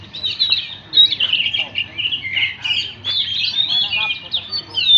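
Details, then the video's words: ['Oriental magpie-robin singing a fast, unbroken medley of sweet whistled phrases and scratchy twittering, tumbling quickly from note to note.'] "kicau.. burung Kacer"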